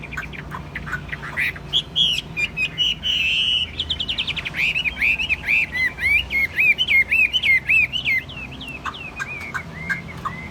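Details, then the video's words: Chinese hwamei in a cage, praised as a tame, sweet-voiced singer, with varied whistles building into rapid repeated rising-and-falling slurs, about four per second, then slowing to scattered notes, low hum beneath. "Chim hót tốt giọng hay, thuần 80% nhẹ nhàng ok ko sục ko nhảy"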